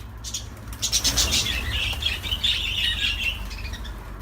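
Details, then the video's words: Budgerigar warble: a flurry of quick, sharp chirps, then a sustained buzzy, twittering phrase of repeated scratchy notes that fades toward the end, low hum underneath. "تغريد طيور الحب االبادجي"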